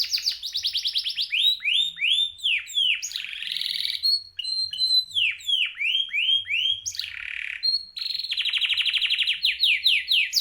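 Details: Male canary in nonstop gacor singing: a high, rapid stream of trilled tours, each a quick series of repeated downward-sweeping notes or buzzy rattles, switching abruptly between phrase types with almost no pauses.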